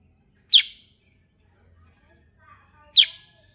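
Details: Kutilang sutra, the sooty-headed bulbul, singing 'gacor ngerol': two crisp, high, clipped chip notes two and a half seconds apart, with soft low murmuring and faint twittering between them.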